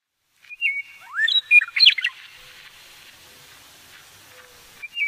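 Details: A male western meadowlark singing low in sagebrush on the Polecat Gulch Trail foothills north of Garden City, 9 April 2017, gives one rich, flute-like phrase of clear whistles tumbling into a gurgling jumble; another phrase begins at the end.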